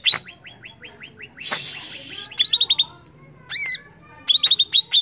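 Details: Greater green leafbird song used to stir up other birds: a rapid series of high chirps, then a brief harsh rasping burst, then more fast bright chirps with a couple of louder ringing notes.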